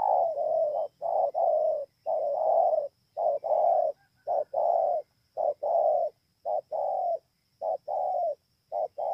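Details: Spotted dove singing at Bờ Y in Kon Tum, Vietnam, 28 November 2017. Steady run of soft hollow coos, each brief note leading into a longer falling coo, close to one phrase per second with short gaps.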